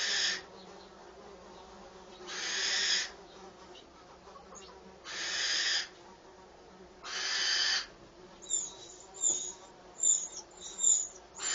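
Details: Nest of Eurasian wren chicks inside a mews doorway as the mother brings food: loud, broad hissing bursts under a second long come about every two seconds, then a run of sharp high chips.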